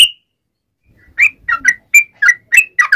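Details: One high whistled note from a sooty-headed bulbul calling its companions, a second of silence, then a quick burst of short slurred whistles, some doubled, closing the sequence.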